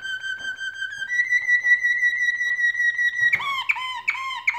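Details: Canaries singing as they build a nest: a long, pure whistled note that steps up slightly in pitch after a second, followed by a quick series of sharp, repeated chirping notes.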